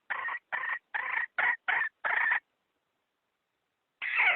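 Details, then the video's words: Decoy hen call for luring wild chickens into traps, 2020: six quick raspy clucks in an even series, then a pause before one more rough, falling note. "Tiếng gà mái nhảy bổi"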